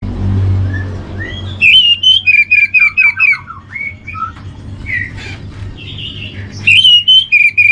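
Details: Orange-headed thrush master song for steadying the mood and breeding drive of home-kept birds: loud, rich whistled notes near one pitch, repeated in quick bursts, with rising and falling slurs between phrases over a low hum.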